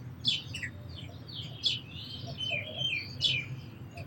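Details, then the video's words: Twittering sparrow with short, high chirps and slurred notes in an uneven chatter, and louder accented chirps about every second. "Very Beautiful Birds & Sparrows Sounds"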